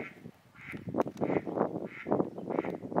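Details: Ferruginous duck (Aythya nyroca) at Hraški mlaki ponds, Hraše, recorded 26 March 2023, giving harsh, low, rasping quacks in quick irregular bursts, several a second, with a faint higher hum pulsing in the background.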